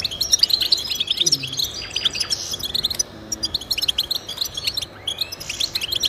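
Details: Goldfinch song for motivating pet birds to sing: lively twittering runs of high chirps and trills, pausing briefly around the middle before resuming, over a soft hissy background.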